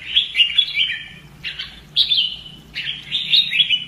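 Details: Red-whiskered bulbul, a kept bird trained for fighting song, sings bright, slurred whistled phrases that drop in pitch, four bursts in under four seconds with short pauses between.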